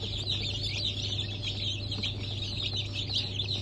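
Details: Just-hatched chicks, Cream Legbar and Rhode Island breeds, 29 August 2024: dense, overlapping high-pitched cheeping, a busy continuous chatter of short falling notes above a low steady hum.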